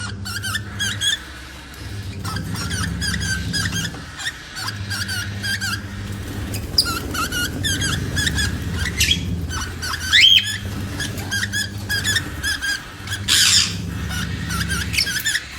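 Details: A female cockatiel singing while mating gives rapid, squeaky chirps and warbles over a steady low hum.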